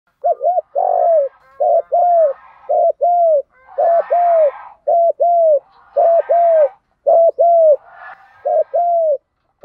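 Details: Spotted dove urging coos in the field-voice style, used to rouse training birds. Short two-note hooked coos alternate with longer falling notes, roughly one a second, with faint softer chatter between phrases.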